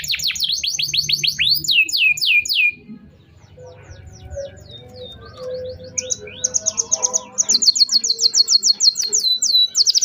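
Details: Canary lure song for young canaries and ones that have stopped singing: descending whistled slurs, a brief quieter stretch with low background sounds, then bright repeated high notes in quick pulses.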